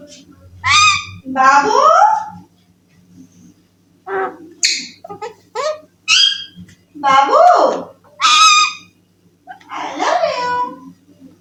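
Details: Pet Alexandrine parakeet, a young talking bird indoors said to say "I love you": a series of short word-like syllables and nasal, curving phrases in spaced groups, with quiet gaps between them.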